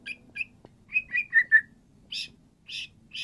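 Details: White-rumped shama (murai batu) singing to prompt a silent bird to answer: a few short whistled notes, a quick run of four clear falling whistles, then three buzzy, higher bursts spaced about half a second apart.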